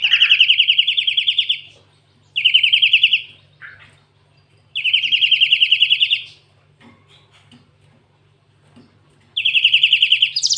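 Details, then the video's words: Canary-style song from a cinereous tit, locally gelatik watu: fast buzzy rolling trills in bursts of one to two seconds, separated by short silences, with soft scattered ticks in between. "Burung gLatek watu full isian kenari"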